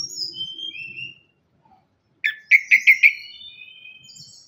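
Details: Orange-headed thrush lure song for birds that are quiet after moulting or still learning: drawn-out whistles, a silence, then a burst of five quick, emphatic repeated notes trailing into thin high whistles.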